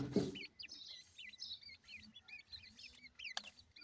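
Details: Grey francolin chicks calling their mother: a steady run of thin, high, wavy peeps repeated several times a second, with a brief low thump at the start and one sharp click.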